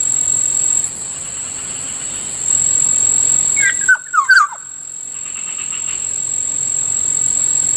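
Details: Kilyawan (black-naped oriole) heard in the morning near a rice field; one short burst of clear, falling whistled notes midway, over a steady high insect drone.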